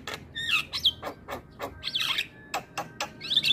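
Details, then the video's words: Javan myna in vigorous full song rich in varied phrases: harsh broadband rasping notes alternating with short whistled slurs and clear rising whistles, delivered in quick irregular bursts with brief pauses between. "Suara Jalak Kebo Gacor Full Isian"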